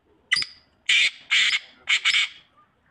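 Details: Black francolin giving its harsh rasping call, a sharp opening note then three loud grating bursts spaced about half a second apart, clear against a quiet background.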